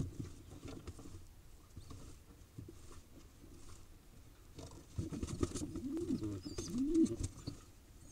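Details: Wild pigeon chick in Israel being fed, looking nearly adult-sized; low wavering squeaky begging notes rise near the end over rustling and patter, with faint high chirps in the background.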